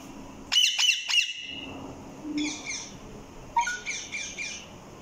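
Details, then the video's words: Parrot giving three loud harsh squawks in quick succession, then after a pause two bursts of raspy, buzzy chattering, the second led by a brief rising whistle. "Raw Parrot Talking"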